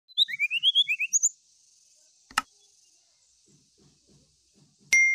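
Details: Brown-chested jungle flycatcher singing as if seeking a rival: a quick run of about ten short rising whistled notes, the first climbing step by step, then higher notes, ending after a second; a sharp click and a brief pure tone follow.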